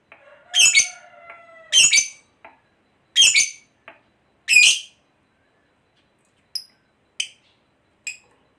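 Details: Fighter lovebird giving harsh buzzy chirps at irregular spacing, with faint steady whistled tones in the background early on, calls fading to short clicks at the end.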